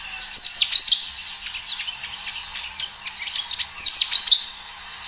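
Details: Natural-sound recording of a strongly singing kinoi: rapid strings of high chirps and sharp whistled notes, some softer twitters between louder bursts, running almost continuously.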